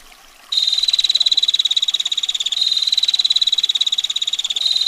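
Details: After half a second of quiet, a female bar-winged prinia breaks into a rapid, sharp ticking 'ngetir' roll that carries on steadily, its pitch shifting slightly every two seconds, with water murmuring behind.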